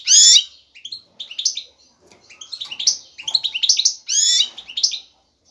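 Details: Male European goldfinch in mating mood, singing strongly with twittering to win a female's attention. A loud harsh chirp starts, then rolling bursts of liquid twitters and jingling notes recur every second or so.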